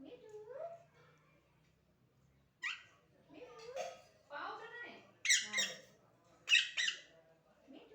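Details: Pet talking parrot conversing with its owner's mother in a small indoor room; speech-like chattering syllables alternate with short, sharp, bright squawky bursts in the latter half.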